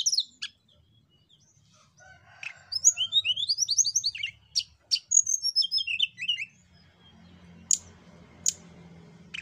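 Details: Javan banded pitta song used to provoke other birds into singing: a quick run of high whistled notes and sharp chirps, many short rising and falling slurs repeated rapidly, with a pause near the end before a few isolated high clicks.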